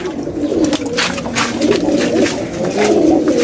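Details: Pigeon said to be seven years old giving low, hollow cooing hums that swell and fade in overlapping phrases over a few seconds, with faint clicks and light background noise.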